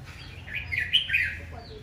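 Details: Red-whiskered bulbul singing aggressively in the morning, one brief, fluid warbled phrase of rolling notes rising and falling in under two seconds.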